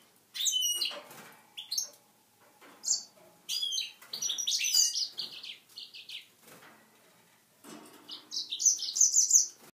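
A goldfinch-canary mule sings to canary hens: bright, high twittering phrases with quick trills and buzzy notes, delivered in bursts separated by brief pauses.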